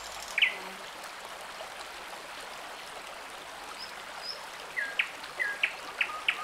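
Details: Common nightingale singing by a forest stream in the Irish countryside: short, sharp whistled notes, one early note, then a quick run of five, all over the steady rush of the stream.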